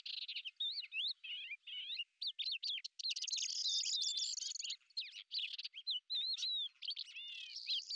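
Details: Lesser grey shrike, a hunting predator filmed in Azerbaijan, giving a fast, varied chatter of whistled slurs and squeaky notes, with a dense, rasping burst midway and brief pauses between phrases.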